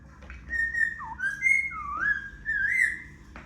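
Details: Pet Indian ringneck parrot (rose-ringed parakeet), kept as a talking mimic, giving a run of clear, sliding whistles that rise and fall in pitch, with a soft low hum in the background.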